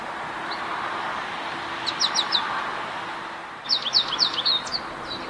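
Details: American Goldfinch in an apple tree on a sunny morning, giving two short phrases of quick, high, thin twittering notes over a steady broad background hiss.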